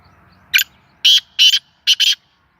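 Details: Sindhi black francolin, caged and tame, uttering its first call. It gives five loud, rasping bursts, a single note and then two pairs, against a quiet background.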